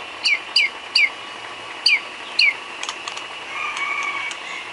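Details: White-rumped shama isian filler song for training cage birds: five crisp, quick downslurred whistled notes spaced irregularly, followed by a faint steady hum.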